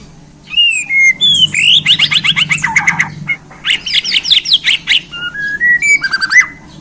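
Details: Borneo white-rumped shama, recently taken in hand, bursts into dense fast song: rapid buzzy note trains, a pause, another rattling run, then rising and stepped whistles, over a steady low hum.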